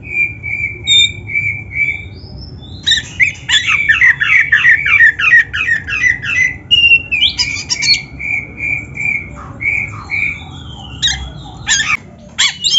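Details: Kacer, the Oriental magpie-robin, in a training recording for lazy or beginner kacer: repeated level whistled notes open, then a fast, rich cascade of loud warbled and buzzy phrases, later mixed with clipped chips and scratchy notes.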